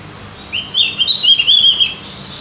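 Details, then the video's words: Javan grey-throated white-eye, or cucak gentong, singing as a prompt for other birds: one rapid, warbling string of high chirps rising and falling for over a second over faint background hiss. "pancingan burung opior jawa atau cucak gentong agar rajin bunyi"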